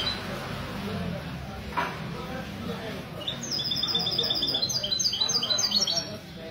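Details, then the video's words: Mesto goldfinch hybrid singing for a goldfinch association in a café at Ksar El Kebir, Sunday morning, February 2020; quiet start with murmuring voices, then from halfway a bright, fast, high twittering trill sequence. "تغريد الميستو"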